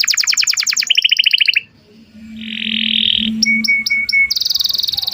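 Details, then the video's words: Canary used as a lure for a young bird learning to sing: fast descending trills of repeated notes, then a buzzy rasping note, a row of short sharp chips, and a rapid high rattle. "kenari gacor panjang Cuit Cuit EMOSI, Pancingan Kenari Paud Belajar Bunyi"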